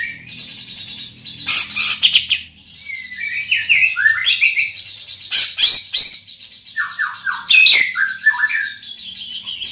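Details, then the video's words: Large-bodied greater green leafbird singing loudly: a rapid, varied run of whistled slurs, rising and falling notes and harsh chattering bursts, with a faint low hum underneath. "Burung Cucak Ijo Body Besar Suara Tembus Joooos"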